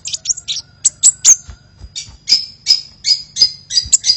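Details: Vigorously singing kolibri used as a lure sound: continuous high, squeaky twittering notes with brief whistled sweeps, nearly unbroken, over faint low hum.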